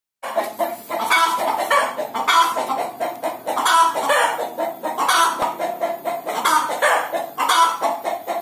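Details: Hen about to lay an egg, giving a steady run of loud, harsh clucks in rapid rhythmic bursts, nasal and cackling, with no pauses.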